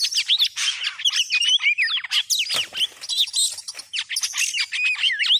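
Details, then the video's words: Trapping lure sound of the Oriental magpie-robin: busy high twittering with looping whistled slurs and short chirps, broken by a brief harsh rasp near the middle, then more rapid warbling phrases. "suara ampuh pikat burung Kacer joss"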